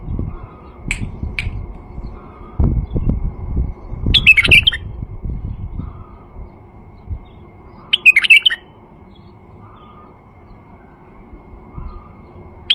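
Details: White-eared bulbul male singing to prompt quiet bulbuls and draw birds in: two brief, liquid warbled phrases about four seconds apart, with some low clattering noise early on.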